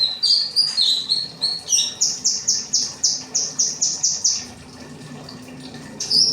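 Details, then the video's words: Kinoi song used for cage-bird training: sliding high twittered phrases open into a steady string of about eleven sharp repeated notes, then a brief quiet gap before the singing resumes. "burung kinoi materi rambatan"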